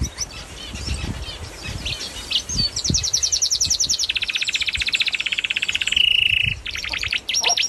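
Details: Canary in full song, moving through several rapid trilled tours at different pitches, including a dense rolling trill and a brief flat buzzy note before higher chattering phrases, loud and close with faint background clicks.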